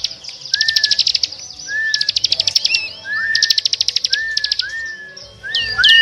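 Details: Small birds calling noisily for luring and trapping, rapid buzzy high trills in bursts, each followed by a brief clear whistled note, and a few looping chirps near the end.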